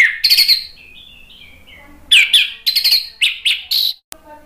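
Orange-headed Thrush giving loud, rich, varied warbling phrases of high whistles and fast trills, in bursts with brief pauses, no other sounds.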